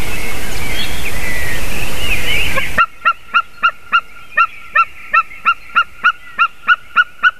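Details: White-tailed eagle calling on 28 March 2019 at 06:26: after a stretch of windy rushing noise with faint twittering, a steady series of about fifteen sharp yelping notes, evenly spaced about four per second.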